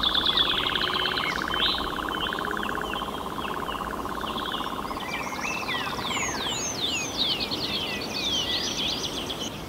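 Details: A European nightjar in a tree on heath with cross-leaved heath, with bumblebees and wheatears around, churrs at nightfall: a steady, rapid mechanical trill that runs unbroken for about six seconds, then stops, while other birds whistle and chirp over it with faint rumble.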